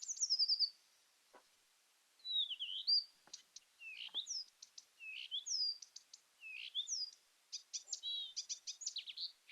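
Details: A rare Blyth's reed warbler (Acrocephalus dumetorum), in a clip played as an example of the species, sings slow, high whistled phrases with sharp chips and short trills, each motif repeated a few times before changing, separated by brief pauses.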